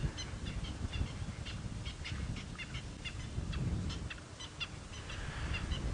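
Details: Several francolins alarm calling at sunrise, about 6:30 AM on 28 May 2017, at Treehouse Dam on a game drive, upset about something: harsh, scratchy notes in quick repeated bursts, overlapping, over wind and a steady low rumble of an idling vehicle engine.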